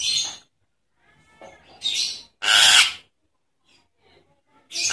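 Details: Nias hill myna lure call for birds that have gone quiet. Separate loud, harsh, noisy bursts are spaced about a second apart, one longer rasping squawk among them, with faint softer notes between.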